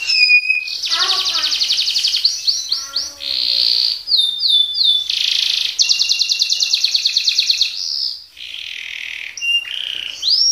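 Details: Colour canary pouring out a varied roll-and-tembak song: sharp rising whistles, falling slurs, buzzy rattles and rapid trills switching quickly from phrase to phrase, loud and close.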